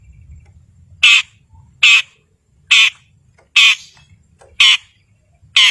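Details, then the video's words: Long-tailed shrike in lively song, used to provoke rivals and silent birds into singing: six loud, harsh, buzzy squawks, each about a quarter second, spaced roughly every three-quarters of a second, with faint low rumble between. "Cendet Gacor Si Pemancing Lawan Sangat Ampuh Mengatasi Burung Yg Membisu"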